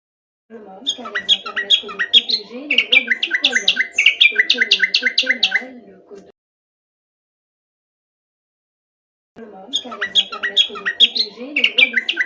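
Common nightingale singing rich, rapid phrases of repeated chirps, trills and whistles, broken by a three-second silence, over a low wavering background drone.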